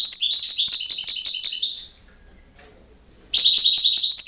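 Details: European goldfinch singing in campero style: a fast, liquid twittering phrase of high tinkling notes and buzzy trills, about one and a half seconds long. A short silence follows, then a new bright, jangly burst begins.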